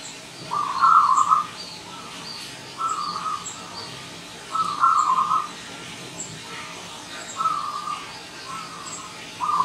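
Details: Wild zebra dove arriving as a visitor, repeating short rolling trilled coo bursts about every two seconds, with faint high twittering of other birds throughout.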